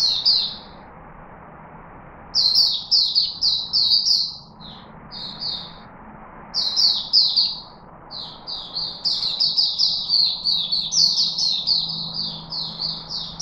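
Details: A puteh chickadee in Singapore, recorded 4 March 2021, sings high, sweet chipping notes in quick bursts of several, pausing briefly between runs, against an otherwise quiet background.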